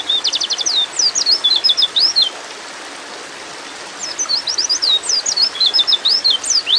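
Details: Female white-eye in breeding mood calling to a male: fast bursts of thin, high chirps and short rising and falling slurs, about two seconds each, separated by a pause, over a steady background hiss.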